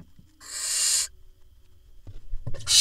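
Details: Barn owl nestling in a nest box in Israel on 18 June 2021, as the father drops a vole that the nestling swallows: one long harsh hissing screech lasting about half a second, then scraping and shuffling, and a second screech beginning at the end.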